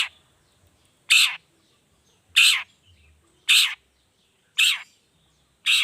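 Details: Long-tailed shrike singing vigorously in the 'toet toet' variation, used to stir other shrikes into song: loud, short, harsh chattering notes evenly spaced about every 1.1 seconds over near silence.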